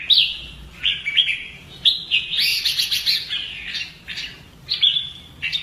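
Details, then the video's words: Kept red-whiskered bulbul in voice training for fighting song delivers rapid, warbled whistling runs, with a denser rolling passage in the middle and brief clipped notes near the end. "CHÀO MÀO | Luyện giọng chim hót hay hót đấu - kích ché lên lửa"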